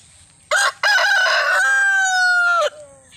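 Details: Rooster crowing, from a compilation of crows: one loud, drawn-out cock-a-doodle-doo lasting about two seconds, opening with short choppy notes and ending in a long, steady held tone before breaking off.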